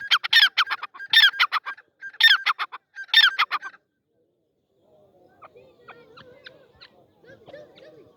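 A partridge gives four loud, harsh, rhythmic bursts of scratchy notes, about one a second, then falls to quiet, scattered chattering and rustling.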